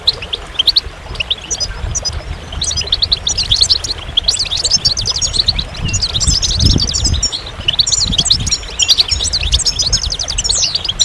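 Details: Long run of goldfinch song: fast, liquid twitters and crisp high notes tumbling together, growing denser in the second half, with a quiet low murmur in the background.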